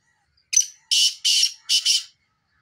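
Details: Black francolin giving a lively call: a short sharp opening note followed by four harsh, buzzy, grating notes in two quick pairs, the whole phrase lasting about one and a half seconds against silence.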